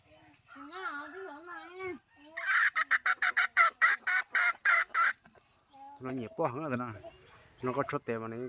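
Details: Decoy red junglefowl rooster used to challenge a rival: a drawn-out harmonic tone, then a fast run of about a dozen sharp, evenly spaced pulses, and further short harmonic calls near the end, with people talking.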